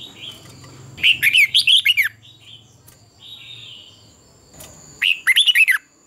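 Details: Red-whiskered bulbul singing competitively, a lure recording for dawn training: two rapid rollicking phrases of about seven looping, slurred whistles, a softer note between them, a faint low hum early on and a constant high whine.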